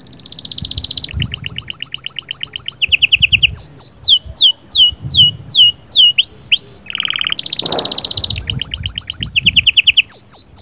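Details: Canary delivering sahsahat and batbatat song aimed at rousing a female: long chains of quick pulsed trills at changing pitches, sliding downward whistles, a low buzzy roll, then more trills, with soft low thumps beneath.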